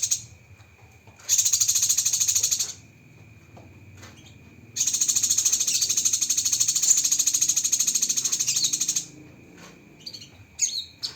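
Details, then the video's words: Cucak kinoi song used as a tutor recording for training songbirds, full of fast 'tembakan' bursts: two rapid, high, buzzy trilled bursts of about 1.5 and 4 seconds, then brief chirps, over a steady high background tone. "Masteran Burung Cucak Kinoi Full Isian Tembakan Pedas"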